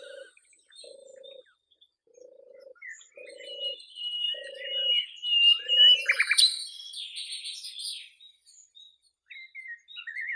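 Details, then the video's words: Wild nightingale in Russia perched on cherry blossoms, delivering a slow drawn-out whistle that swells into a loud rapid rattle of clicks, then warbled trills, with a low pulsing buzz repeating in the first half. "Великолепное пение соловья на цветущей вишне"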